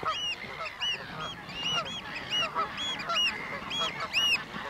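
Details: A Pied avocet colony at the Grownzoom nature area, South Holland, in March 2021, with an aggressive avocet chasing black-tailed godwits, gives a busy chorus of overlapping clear, fluty 'kluit' notes, several each second, over a soft hiss.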